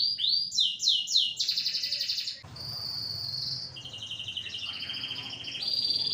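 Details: Excitable canary singing short repeated upswept notes and a bright trill, followed by softer thin buzzy trills at steady pitch over faint background hiss.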